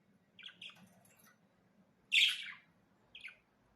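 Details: Budgerigars twittering, a few soft, scratchy notes, then one loud, harsh chirp and a last, quieter pair of short chirps.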